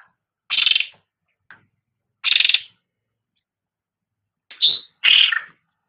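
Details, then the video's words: Cucak rante in a training recording for pet songbirds: harsh, buzzy rasping notes about half a second long, given in separated bursts, the last ones slightly higher and brighter. "Suara Burung Cucak Rante | Gacor"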